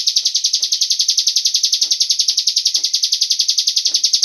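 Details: Cigun bird call serving as a lure for other birds to sing: a continuous, bright, buzzy trill of regular beats, roughly three per second.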